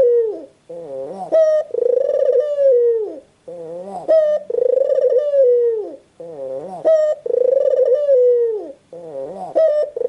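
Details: White puter dove cooing in a steady cycle roughly every two and a half seconds: wavering rising note, short bright note, long coo falling at its end; four phrases, no other sounds.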